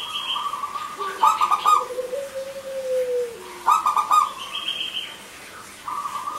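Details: Local male and female zebra doves with a crystal voice, singing often, used to lure doves that have gone quiet: two bursts of rapid, bright staccato coos, a smooth rising-and-falling lower note, and held higher tones.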